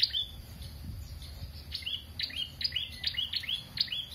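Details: Prinia singing busily, a rapid run of sharp, high chirps, each dropping quickly in pitch, repeated about three to four times a second without pause, over a quiet low background hum.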